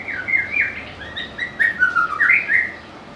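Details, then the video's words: White-rumped shama pouring out a bright, jumbled series of slurred whistles and chirps that rise and fall, with one higher squeaky note near the middle. "เสียงนกกางเขนดงร้องเพราะๆ/ນົກແຕ້ມປູນດົງຮ້ອງມວນໆ/Âm thanh của chim ác là/Burung murai"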